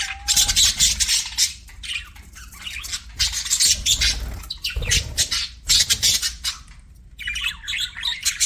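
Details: Pet budgerigars chatter in bursts of scratchy chirps and squawks separated by brief gaps, with soft low rumbling and thumping sounds between the calls.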